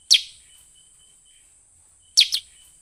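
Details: Sooty-headed bulbul calling as a lure to attract wild birds: one sharp, descending chip, silence, then a doubled chip about two seconds later, with a thin steady high tone behind.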